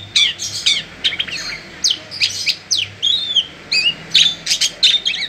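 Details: Oriental magpie-robin in natural voice, played near other magpie-robins to spur them into full song. It gives a lively stream of sharp, sweeping whistled and chattering notes in quick clusters, several each second, with a faint low hum beneath.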